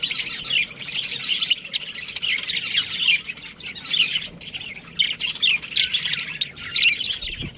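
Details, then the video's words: Budgerigar colony with a breeding pair, many birds chirping together in a dense, continuous high twittering chatter with squawky notes throughout. "Cute Budgies Chirping Sounds"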